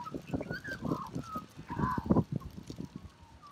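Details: Australian magpie singing a melodious call: short warbled whistles near one to two kilohertz, some gliding, set against a steady low crackling and thumping background noise.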